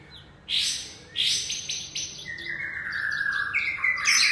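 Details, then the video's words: Young white-rumped shama from the wild forest: two loud bursting chatters, then a string of choppy notes flowing into a sustained sweet whistled phrase that rises at the end. "Murai aceh Muda Hutan"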